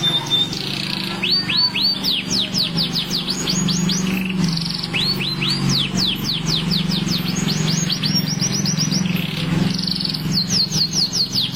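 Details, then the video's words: Canary singing at length for contest readiness: bursts of rapid whistled sweeps and high rattling trills, several phrases in a row, over a constant low hum. "Kenari Rasmi gacor durasi siap gantang"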